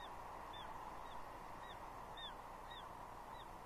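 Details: Juvenile female bald eagle at Two Harbors, Catalina, 30 June 2021, mantling on a tree and squeeing at her father for fish: rapid, high, falling squeals, about seven in under four seconds, over steady hiss.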